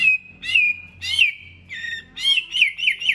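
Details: White-rumped shama competition song in many voices: clear sustained whistles broken by brief buzzy, rippling flourishes, delivered in a lively, continuous stream.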